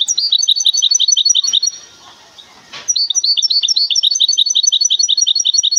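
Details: Goldfinch hybrid from the city of Temara gives rapid, ringing, repeated chirps in a steady trill, breaks off briefly with a soft rustle, then resumes the same quick twittering phrase.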